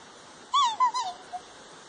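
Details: Three black swans calling during a display aimed at a large Pyrenees collie cross puppy; a brief burst of two or three bugling, slightly wavering mid-pitched notes, then quiet background.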